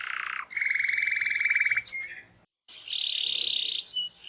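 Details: Lively canary song used to encourage other canaries to sing: a low buzzy rattle, a long fast trill lasting over a second, a short pause, then a bright high rolling trill.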